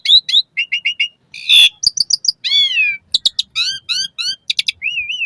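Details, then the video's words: Asian pied starling song played morning and evening to train caged birds: repeated short whistled notes in threes, a harsh rasp, downslurred whistles, sharp clicks, ending in a wavering whistle. "Suara Kicau Jalak Suren"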